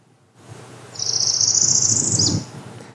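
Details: A Northern Parula in Appalachia sings a buzzy, high trill that climbs up the scale steadily for over a second, then drops with a quick final squeak; faint low background rumble.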